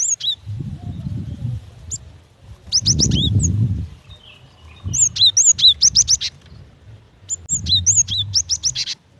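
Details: Cinereous tit female calling for a male, a lure recording: repeated bursts of high whistled slurred notes and fast buzzy chips, separated by pauses, with intermittent low rumbling noise.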